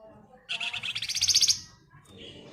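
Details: Flamboyan female calling to the male, a bird kept for its song: quick buzzy notes run together into a fast, higher trill lasting about a second, then quiet with soft low background hum.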